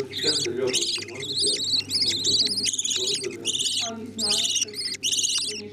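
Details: Budgerigars feeding chicks; loud, grating, high-pitched begging squeals come in close-set bursts, a brief low ticking stretch around the middle, the calling resuming to the end.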